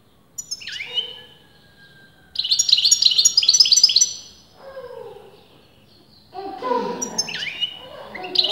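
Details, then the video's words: European goldfinch, sex argued over by leading breeders, gives scattered phrases of high, fast twittering with a few slurred notes, broken by pauses and low, droning background sounds. "غناء متواصل لمقنين"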